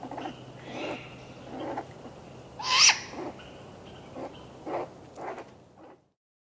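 A young great grey owl gives harsh, hissing begging screeches, about seven rasping bursts spaced under a second apart, one louder and shriller than the rest.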